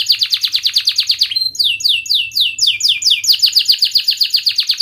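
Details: Loud canary song of the cuit-cuit rolling type for training young canaries and reviving silent singers: a quick train of high descending notes, a brief thin whistle, then swooping falling phrases returning to rapid trilling.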